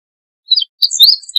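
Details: Meadow bunting singing: a short high chirped double note, a pause, then a rushed run of high, thin, slurred and trilled notes rising and falling, clean with no other sounds.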